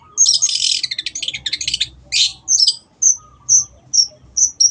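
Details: Long-tailed shrike singing energetically in a tutor recording for caged birds: a rapid, dense chattering run of scratchy notes mixed with high whistles, then a series of sharp, separate high whistled notes about every half second.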